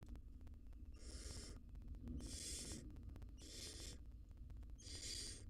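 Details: Wild barn owl mother at a nest box feeding her nestlings; four harsh, broadband hissing screeches about a second apart, over steady low hum and clicking camera noise.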